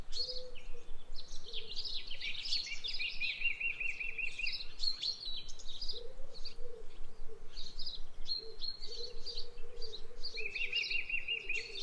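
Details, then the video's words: Budgie, or parakeet, brought outside, warbling in irregular bursts of high chirps and scratchy notes, with level whistled tones between bursts and constant outdoor ambient noise underneath. "Took My Budgie Outside"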